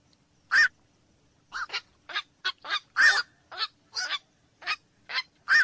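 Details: Steady series of coarse barks from black-crowned night heron, about a dozen short squawks over six seconds, some paired closely, raspy throughout.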